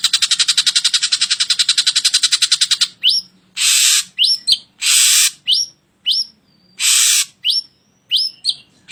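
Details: Drongo masteran training song for cage birds: a fast buzzy rattle of about nine harsh pulses a second, then loud hissing bursts alternating with short sharp rising whistles.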